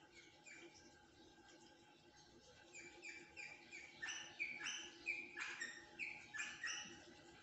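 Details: Rosella calling: a quiet start, then from about four seconds a run of short whistled chirps and sliding notes, several per second, with faint background hum.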